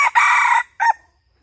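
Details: Red junglefowl heard while hunting in 2022-2023, its crow caught partway through: a long, harsh sustained note and then a short, abrupt closing syllable before quiet returns.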